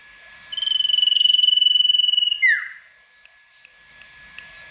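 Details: Sirtu, a tame and vocal bird, delivers a provoking song to make rival sirtu answer: a steady, rapid high trill of nearly two seconds, then a swift falling whistle, followed by quiet scattered ticks.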